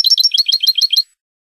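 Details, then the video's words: Spanish-style goldfinch song from a training recording for cage birds: a quick run of about eight bright, high twittering chirps, evenly spaced, then silence. "شريط لغة الحسون الإسباني"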